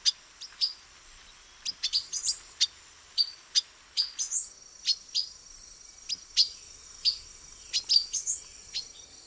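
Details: Silver-beaked tanager male, Brazil, perched camouflaged in branches, calling with a long irregular series of crisp, clipped chink notes, often doubled, and occasional higher slurred notes, over a steady thin high background drone.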